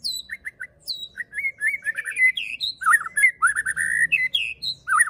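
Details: White-rumped shama, a fighter-style bird whose song is meant to provoke other shamas into singing: a varied run of clear whistled phrases, short repeated chips, sweeping slurs and high thin notes, delivered rapidly and continuously.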